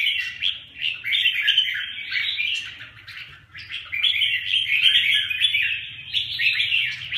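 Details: Two red-whiskered bulbuls fighting, with busy overlapping chatter and squeaky warbles in long bursts, a short lull in the middle.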